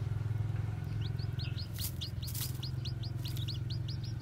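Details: Newly hatched white black-tailed Japanese bantam chicks walking about; after a second, rapid high thin peeps, each a short arched note, run about three per second over a steady low engine-like hum.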